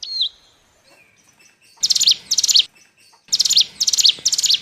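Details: Bar-winged prinia lure call for trapping: one short dipping whistle, then bursts of rapid, high, rattling notes in tight clusters, each burst ending with a drop, repeated about twice a second.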